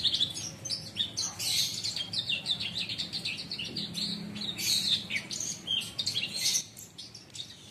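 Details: Captive Horsfield's bush lark, under a month in its keeper's care, on Friday 24 September starting to come into full song: a rapid, unbroken stream of high twittering, chirps and sharp clicking notes, fading briefly near the end, over a faint low hum.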